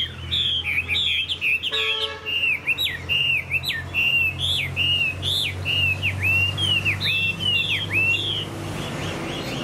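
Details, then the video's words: Caged Chinese hwamei, kept as a show and fighting bird, in dull overcast weather, pouring out loud clear whistled phrases, rapid upslurred and downslurred notes repeated in a bright continuous string, with a steady low hum behind. "Họa mi dáng ngũ trường, đấu xòe, hót tốt"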